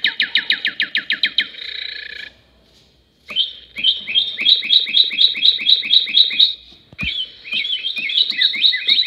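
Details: A trio of northern cardinals sings loud, clear whistled phrases of fast downslurred notes, several per second, in three bursts separated by brief pauses.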